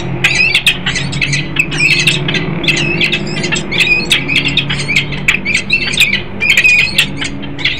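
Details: Peregrine falcon pair, an adult male and female, at a nest site in Harrisburg, Pennsylvania, recorded 10 December 2020: rapid harsh squawking calls repeated several times a second, with a steady low rumble of traffic underneath.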